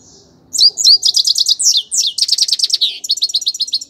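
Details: Grey-crowned goldfinch song: brisk high tinkling chirps in quick runs, some slurred downward, closing with a fast even series of repeated notes.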